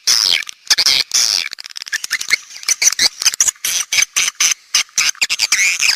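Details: Several swiftlets heard in a lure recording for drawing in swiftlets: busy, scratchy high chatter with drawn-out buzzy notes mixed among short rapid clicks and chirps.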